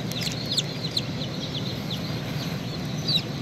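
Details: Hatching baby chick peeping: a few sharp, high descending cheeps, louder bursts near the start and end, set against a continuous low hum.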